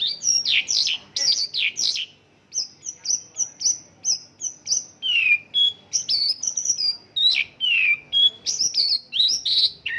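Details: Mongolian lark singing in the Indonesian 'isian lokalan' style: a lively medley of sharp downslurred chirps and buzzy notes, with a short pause near two seconds and clear steady whistles dropped in midway and near the end.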